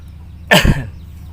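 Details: Pet Javan myna that mimics speech and coughing: a single short, harsh, cough-like burst lasting about a third of a second, heard over a low steady hum.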